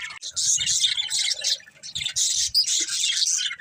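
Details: Budgerigars chirping while playing: bursts of busy high twittering broken by brief pauses near the start and middle, scratchy chatter with a few sharper squeaks, several birds calling together.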